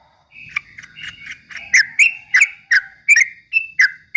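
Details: Song of a yellow-vented bulbul in the rapid ropel style, used to provoke rivals: soft warbling builds into loud, evenly spaced chirps with falling slurs.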